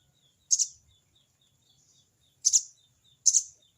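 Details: Wild sogon bird calling a rival with its crecet cerecet chatter: three short, harsh, very high double-pulsed bursts, the last two close together, over a steady faint pulsing insect buzz.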